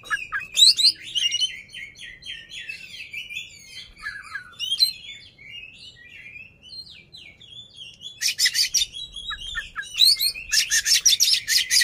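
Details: Oriental magpie-robin performing with an open tail to agitate an opponent, delivering a long varied run of quick chirps, slurred whistles and mimicking twitters, broken by two stretches of loud rapid harsh rasping notes.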